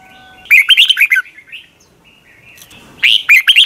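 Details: Red-whiskered bulbul singing in the morning as a decoy for training other birds, long double twisting voice style. A fast warbling phrase of bouncy notes, soft twitters in the gap, then a second phrase begins.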